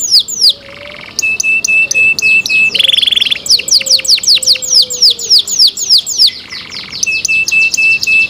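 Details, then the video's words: Canary singing cenkok phrases: sharp falling whistles alternate with flat buzzy tones and a steady piping note, then a long run of quick descending whistles, repeated in varied order. "LUXURY CENKOK CANARI SOUND, CLEAR SOUND"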